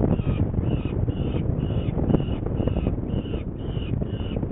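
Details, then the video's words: Saker falcons in Hungary on 21 May 2019 at 11:30, one going to get prey while they seem not hungry; harsh nasal calls repeat roughly twice a second over a constant low rumbling background. "Saker Falcon Hungary 2019-05-21 Csenge is going to get the prey. It seems they are not hungry"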